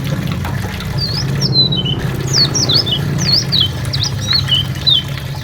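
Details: White-eye song from national champion kecial lombok and kecial karimun birds, a tutor recording for training songbirds: quick, high, thin whistled notes sweeping up and down in a chattering run, with a brief dropout and a low steady hum beneath.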